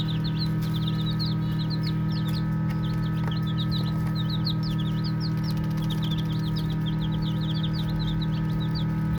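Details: Baby chicks chirp while playing, with dense clusters of short high peeps tumbling over one another and brief pauses between bursts, all set against a persistent low hum.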